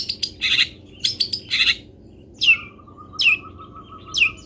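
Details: Local long-tailed shrike performing fill-in song phrases for training songbirds: rapid harsh clicks and rasps, then sharp descending whistled notes repeated about every second, with a steady thin whistle running underneath.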